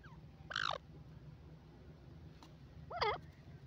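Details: Grey francolin, known locally as dakhni or desi teetar, calling: two loud, harsh, wavering notes about two and a half seconds apart, heard over a steady low mechanical hum.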